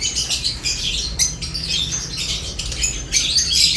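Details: Eating lovebirds produce busy, high squeaky chirps in overlapping bursts, with some short rustling sounds mixed in and a low hum beneath.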